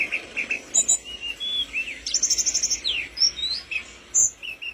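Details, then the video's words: Tledekan gunung flowerpecker in energetic song: high twittering notes, a quick run of rapid repeated chips, and short slurred whistles over background hiss. "burung tledekan gunung gacor"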